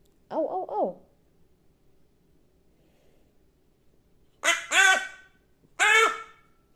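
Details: Hooded crow giving odd, varied calls: a short wavering, tonal croak, a pause, then three loud harsh cawing notes rich in overtones about a second apart. The background is quiet.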